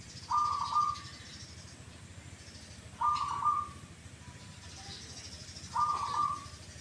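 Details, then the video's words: Zebra dove, a perkutut prized for a "kuk, kuk" voice given twice, delivering three short burry coo notes at mid pitch, spaced about every two and a half seconds, with quiet hiss between and faint high chirps. "PERKUTUT YANG SUARANYA KUK, KUK /KUK 2 / ( DUA) KALI."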